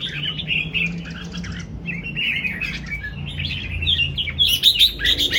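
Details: Red-whiskered bulbul singing: rapid, varied chirps and warbled phrases, growing louder and higher toward the end, with a low hum beneath.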